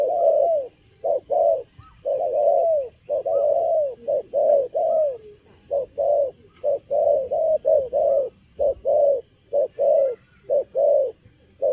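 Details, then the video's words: Young wild-caught spotted dove, keen despite its moult, pours out cà lăm lỡ style cooing: a long, almost unbroken stream of soft hoarse hoots, roughly one a second, mixing short clipped notes with longer downward-sliding ones. "Bổi tơ gù cà lăm lỡ, đang mùa thay long mà quá hăng"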